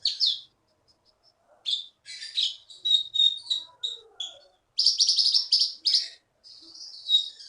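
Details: Bangka forest-sourced Keety (konin), an Indonesian contest champion, pours out energetic song: high chirps, rapid stuttering bursts of roughly three notes a second, and a closing whistled note, in otherwise quiet surroundings.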